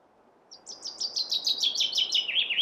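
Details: Fast, bright chaffinch trill: repeated high notes stepping steadily lower for about two seconds, the phrase cut off before its final flourish, with low steady hiss beneath.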